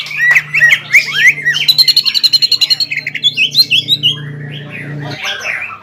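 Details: Greater green leafbird singing to provoke a rival: looping slurred whistles, then a rapid rattling run of short repeated notes and more scattered chirps, with a steady low mechanical hum behind.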